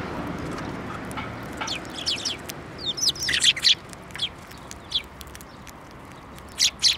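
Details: Sparrows arriving to be fed beside a field of blooming rapeseed flowers at a Tenmangu shrine, 9 February 2024; short high chirps, single and in quick clusters, scattered irregularly through a faint outdoor hum.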